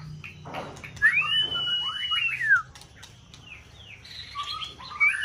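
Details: White-rumped shama song for stimulating a competition bird in peak season; a long arched clear whistle, then softer scattered whistled notes and chips.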